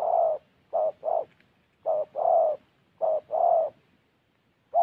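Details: Spotted dove used as a decoy in Gia Lai giving repeated hoarse coos in pairs, a brief note then a drawn-out one, phrases coming roughly every second and a half in a quiet setting.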